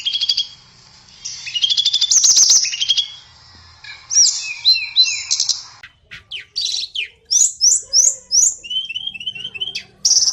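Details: Blue flycatcher (tledekan) singing a long, varied, melodious song: high warbled phrases, buzzy trills and quick repeated whistled notes, with loud bursts separated by short pauses.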